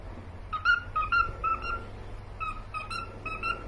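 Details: Pet cockatiels giving soft, short whistled notes repeated about twice a second in two small groups, fainter than the surrounding low background hum.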